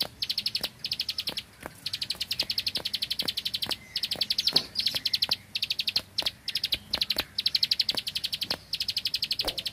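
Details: Bar-winged prinia from the rice fields keeps up continuous 'tembakan bren' song: long runs of fast, high ticking notes with only short breaks. Faint clicks are heard in the background.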